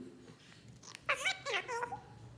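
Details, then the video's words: Pet African grey parrot talking back and mimicking speech: a brief run of speech-like syllables with curving, tonal bands, heard indoors over a quiet background. "Your parrot talks back"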